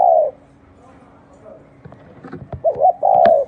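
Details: Spotted dove cooing: a short low coo opens, then after quiet broken by clicks and knocks, a wavering two-part coo ends in a long steady note.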